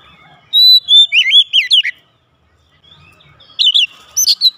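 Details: Loud song from a home-kept oriental magpie-robin answering back: sharp whistles and quick wavering slurred notes in a burst, a short pause, then another bright rising-and-falling phrase.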